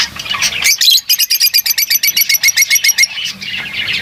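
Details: A lovebird gives a rapid, regular string of sharp high chirps, about four per second, over softer flock chatter.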